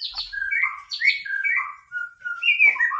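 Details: Vigorous white-rumped shama song aimed at rousing a rival: a continuous stream of fluty, swooping whistles and warbled notes with barely a pause.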